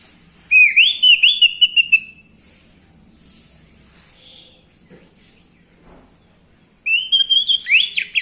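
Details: Orange-headed thrush song to provoke males into singing: two rapid bursts of rich warbled and whistled notes, rising and tumbling, separated by several seconds of quiet with faint sounds.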